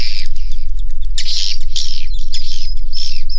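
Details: A crowd of swiftlets in a swiftlet house makes harsh squawking bursts and high sliding whistles in quick succession over a persistent low drone.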